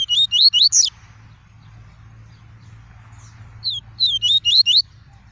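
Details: Double-collared seedeater in tuí tuí song, kept in a cage: a fast group of four sharp high whistled notes, silence, then another quick repeated series, with a faint low hum behind.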